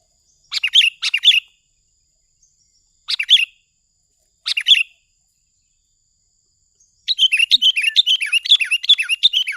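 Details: Sooty-headed bulbul lure call: short bursts of bubbly, chirping notes at about two-second gaps, then a busier continuous stretch of rapid varied chirps in the final seconds, against silence.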